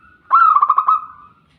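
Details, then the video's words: Brief zebra dove coo phrase: a burst of about five rapid, throaty pulses at a level mid pitch, trailing into a softer tone, over a faint steady background hum. "TERAPI PERKUTUT CEPAT BUNYI..AUTO GACOR"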